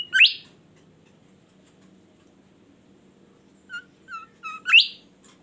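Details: Bimoli bird in melodious song opens with a loud rising squeal, then a long quiet gap. Three quick falling chirps follow, leading into another sharp upward-sweeping squeal.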